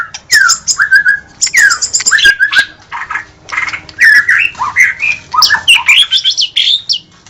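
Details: White-rumped shama in continuous gacor singing: downward-slurred clear whistles mixed with harsh rasping chatter and clicks, delivered in rapid overlapping phrases with little rest.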